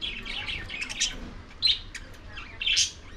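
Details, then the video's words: Lovebirds at corn, producing high twittering chirps and squeaky squawks in uneven bursts, a loud cluster in the middle and another near the end. "Love birds feeding ||Love birds sounds |eating corn ||Lovebirds"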